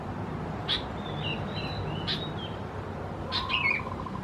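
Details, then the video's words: Sooty-headed bulbul chicks, Pycnonotus aurigaster thais, at Khao Yoi in Phetchaburi, Thailand, in June 2020, giving sharp clicks and thin wavering whistles, then a downward slurred chirp, over low background rumble. "นกปรอดหัวสีเขม่าวัยอ่อน Sooty-headed Bulbul chicks"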